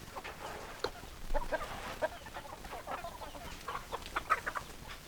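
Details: Chicken sounds from a flock: scattered clucks and brief squawks over a low background rumble, irregularly spaced.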